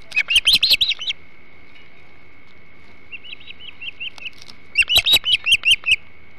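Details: Hog Island osprey at the nest during a flounder meal, 21 July 2016: a loud run of shrill chirps, a quieter series of soft whistled notes, then another loud rapid chirping burst.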